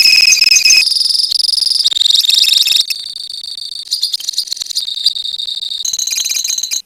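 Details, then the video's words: Colony of lovebirds giving the drawn-out 'ngekek' song. A continuous, very fast, shrill chatter shifts between several high pitch bands, with brief breaks and the intensity changing throughout. "KICAU LOVEBIRD KOLONI INI TERBUKTI HANYA BUTUH WAKTU 4 MENIT SAJA LANGSUNG NGEKEK"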